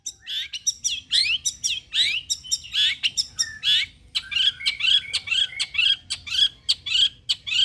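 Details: Long-tailed shrike song played as a lure so other shrikes will sing: busy, varied phrases of slurred chirps and sharp high ticks, rising and falling, in a continuous rapid flow.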